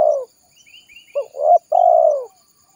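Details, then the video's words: Spotted dove calling vigorously, a 'ranting' lure recording used to call wild spotted doves in and described as calling its companions: a low mellow coo, a brief pause, then a stuttered coo and two longer downward-slurring coos, background quiet. "Suara Burung Tekukur Gacor Paling Ampuh Untuk Pikat Dan Pancingan"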